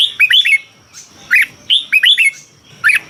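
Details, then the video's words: Red-whiskered bulbul from Thailand, song used to excite caged birds: three short bursts of liquid, curving whistled notes, each a quick rising-and-falling run of three or four syllables, separated by brief pauses with thin high chirps. "เสียงนกกรงหัวจุก สำหรับต่อ หรือ เปิดให้นกคึก เสียงเพราะๆ"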